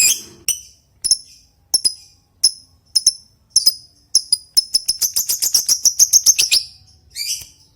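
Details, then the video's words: Lovebird in long ngetik style, calling a rival: sharp, separate high clicks spaced about half a second apart, speeding into a fast rattling run, then a final short burst. "Suara Burung Lovebird Ngetik Panjang Memanggil Lawan Lanjut Ngekek Panjang"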